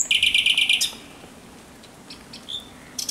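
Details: Thrush nightingale singing at night on 17 May 2023: a quick string of six bright, clicking repeated notes, then near-silence with soft whistles before another sharp phrase starts.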